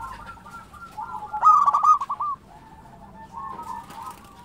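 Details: Singing local zebra dove: one loud trilled, rattling coo phrase lasting about a second. Faint cooing precedes and follows it.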